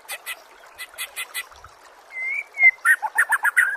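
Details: Murai song from a training recording for contest songbirds: faint soft chirps at first, then a long smooth whistle followed by a quick loud run of varied chattering notes.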